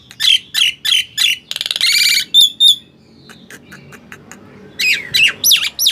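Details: Prompting song of a Nias hill myna for mute mynas: four ringing squawks, a harsh buzzy rattle, two bright piercing notes, a quiet pause, then loud looping whistled calls.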